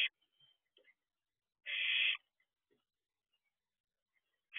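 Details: Owlet barn owl looking around outside the owl box at 4:31 am: one loud breathy hissing screech in the middle, with faint chirps and ticks around it and another hiss starting at the end.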